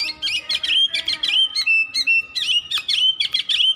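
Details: Oriental magpie-robin delivering a dense, unbroken song of loud whistled notes and quick chirps, a couple of flat level whistles in the middle.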